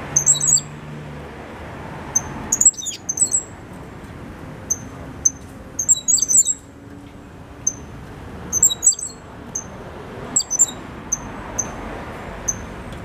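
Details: Five-month-old caged Cuban grassquit, a 2022 chick, singing its loud, clear silva australiano song with a trill acquired from a tutor bird: repeated bursts of very high, sparkling twitters separated by short pauses and lone thin chirps, over quiet indoor hum.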